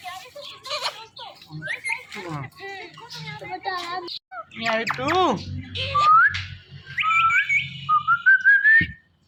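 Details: Talking pet parrot chattering in rapid speech-like syllables, then a swooping harmonic call and a series of rising whistles near the end, with a faint low hum indoors.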